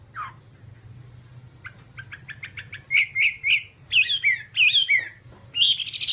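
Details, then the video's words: Whambie on a bird-tutoring master track: soft chirps build into loud, varied whistled phrases that slur up and down, delivered in quick bursts. "Masteran Whambie nonstop 1 jam"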